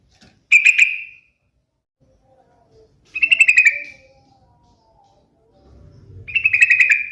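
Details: Sooty-headed bulbul song: three bubbly, warbled whistle phrases spaced about three seconds apart, with faint low rumbling background noise toward the end.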